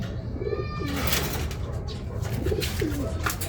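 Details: Racing pigeon associated with a race victory: several brief, low, wavering coos in pairs amid loud rustling, clattering and a persistent low background rumble.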